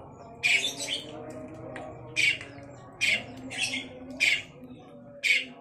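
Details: Harsh, rasping single notes from a long-tailed shrike in active voice, spaced irregularly about once a second, some doubled, with faint low background noise.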